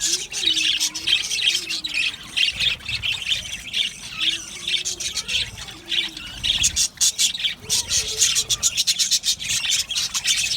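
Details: Australian budgerigar colony in an aviary, a steady high warbling chatter of many birds, with clicky rapid notes toward the end and faint lower whistled slurs underneath.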